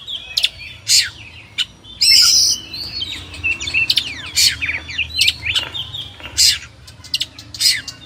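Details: Oriental magpie-robin (kacer) song of scattered sharp chips, brief harsh bursts and soft whistled slurs with pauses between phrases.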